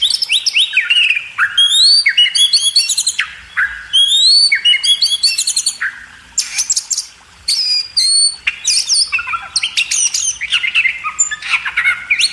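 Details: Magpie robin used as a training recording for cage birds: a sustained, very varied outpouring of fluty whistles, upslurs and rapid chattering notes, with brief gaps.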